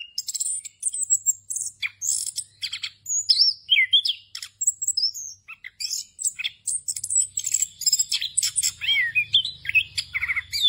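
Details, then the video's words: Orange-headed thrush rolling song for tutoring other birds, full of borrowed phrases: high whistles, slurred rising and falling notes and quick chirps tumbling one after another, a low hum in the background. "ANIS KEMBANG NGEROL FULL ISIAN EFEKTIF UNTUK MASTERAN ANIS KEMBANG BAHAN AGAR CEPAT GACOR"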